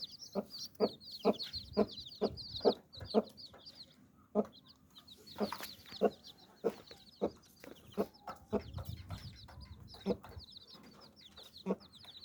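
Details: Mother hen sheltering her chicks under her wings, clucking to draw them in. Low, short clucks come in runs with brief pauses, while the chicks' high peeps rise and fade. A low rumble is heard near the middle.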